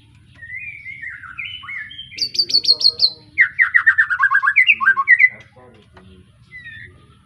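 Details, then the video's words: Young White-rumped shama, just past its spotted juvenile plumage, of the Arko Tangerang line, from Pemalang, Indonesia: lively song of slurred whistles, then a fast buzzy burst of high repeated notes and rapid trilled phrases, with a low hum underneath. "Kicau Murai batu lepas trotol,suaranya heboh"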